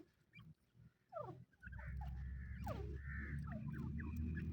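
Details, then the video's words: Francolin (teetar) calling: a few sharp notes sliding steeply downward, then a drawn-out harsh note held level, over a constant low rumble. "Teetar best sounds | Francolin call"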